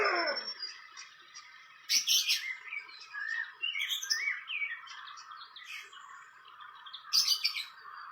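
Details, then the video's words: Wild fantail at its nest, a run of high, twittering whistled notes with sweeping up-and-down phrases, punctuated by brief sharp broadband clicks, over a faint steady outdoor hum. "Indahnya Sarang burung kipasan di alam liar"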